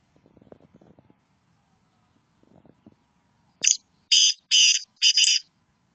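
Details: Black francolin calling: after faint rustling, a sharp note, then three loud, harsh, buzzy grating notes in quick succession, each about half a second long.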